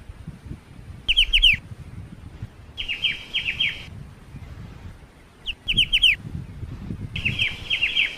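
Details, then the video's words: Black-winged starling singing in clipped bursts of piercing downslurred whistles, four phrases with gaps between, over a low rumbling background noise. "BURUNG CIU // MASTERAN KICAU BURUNG CIU."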